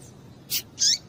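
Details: A short female double-collared seedeater call, a quick high chip then a drawn-out squeak falling in pitch, meant to excite males.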